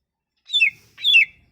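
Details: Leafbird song used to lure a leafbird that has gone quiet: two short, clear whistled notes, each sliding downward, about half a second apart.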